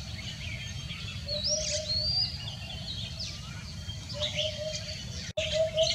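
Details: Common hoopoe calling on a heavily foggy Sunday morning, 31 January 2021: low, soft hooted triplets, repeated twice more after pauses, beneath busy high chirping and whistling from other birds and a steady low rumble.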